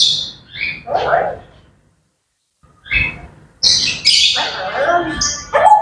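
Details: Grey parrots chattering at wake-up time in the morning: scratchy squawks and brief whistles, a quiet gap, then a burst of harsh, high screeches and mixed whistled notes.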